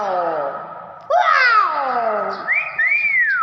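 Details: Hill myna imitating human speech, described as talking; whistled gliding tones with harmonic voice-like syllables, a rising-falling whistle near the end, indoors with a person's voice saying wow nearby.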